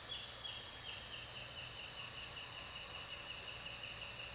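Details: Barred cuckooshrikes (Coracina lineata) at their nest at Lacey's Creek, SE Queensland, in November 2008, giving high, rapid, gobbling chatters that run almost continuously over a steady background hum of insects.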